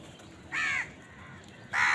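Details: House crow feeding, calling while eating: two harsh, nasal caws with stacked bands, about a second apart, over a quiet background.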